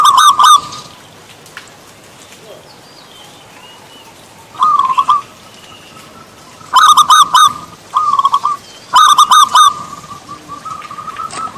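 A zebra dove gives short bursts of quick, rolling staccato coos, grouped in clusters a few seconds apart, over quiet background hiss.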